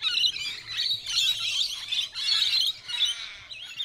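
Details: A flock of rainbow lorikeets fights while feeding in suburban Melbourne, producing a constant wash of harsh, buzzy screeches and shrill chatter from several birds at once, rising and falling in loudness.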